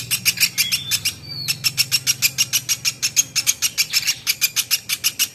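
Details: Woodpecker known as platuk beras, in a training recording for songbirds: a long string of buzzy high notes at a steady quick pace, one brief squeaky whistle near the start, low hum below.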